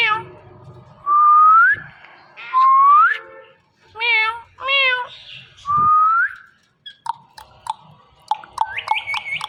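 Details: Morning calls from a pet male and female Indian ringneck parrot pair hanging on a door. Loud upward-sliding whistles alternate with wavering nasal calls, then a scatter of short, sharp chirps and clicks.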